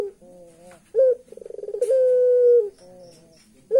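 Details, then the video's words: Puter pelung turtle dove with its creepy-sounding laugh: soft low notes, a sharp rising yelp, a fast series of about a dozen throbbing pulses running into a sustained hoot, then quieter wavering tones. "Burung Puter pelung bisa ketawa, ketawanya serem"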